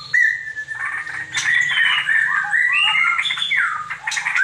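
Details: Young caged straw-headed bulbuls, a long-tailed pair, giving loud, rich, liquid whistled warbling, phrases gliding up and down in quick succession over a steady low mechanical hum.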